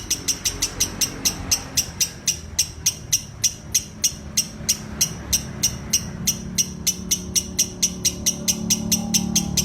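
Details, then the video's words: Lovebird in ngekek style, a sustained run of sharp high chattering notes repeated evenly about three times a second, with low rumbling background noise growing toward the end. "Love Bird ngekek 2 menit"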